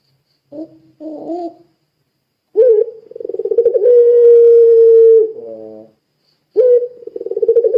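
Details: Puter pelung Barbary dove calling as a lure to get other doves calling: two short soft low notes, then a rising note, a quickening pulsed roll, a long flat coo, a reedy lower phrase, and a fresh rising start.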